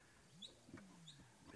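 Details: White-faced whistling ducks with chicks at Djuma Game Reserve at sunrise, 22 April 2017, alarm-call after a hunting female splashes in at them: two short, high, thin whistles a second apart, faint over a low rumble and a man's voice.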